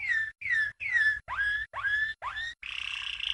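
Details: Training song for young canaries from a champion Waterslager (Malinois) canary dating from 1997: six separate whistled slides, the first three falling and the next three sweeping upward, ending in a buzzy continuous roll.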